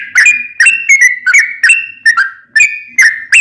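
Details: Lure song of a Sooty-headed bulbul, a long rapid phrase meant to make other bulbuls answer: clear whistles, some falling, some flat and drawn out, repeated about every half second, loud and strongly echoing.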